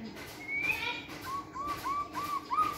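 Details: Caged white-rumped shama singing energetically during exercise training in a flight cage; a run of clear whistled notes, one rising high note then repeated short downward-curving whistles, over faint background hiss.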